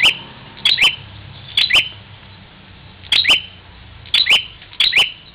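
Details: Bar-winged prinia at Parigi, Ciamis, West Java, fighting its reflection in a mirror: sharp high chirps in quick pairs, each with a hard click, in bursts about once a second with short gaps, over a quiet background.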